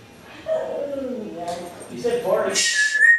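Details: Captive African grey parrot imitating cussing, burping and coughing, heard as speech-like murmured syllables, then a noisy cough-like burst and a high flat whistle at the close.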